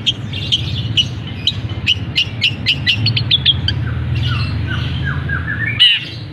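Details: Long-tailed shrike, a caged bird, singing mimicry including canary notes: a series of sharp repeated chips, then soft slurred whistles, over low hum.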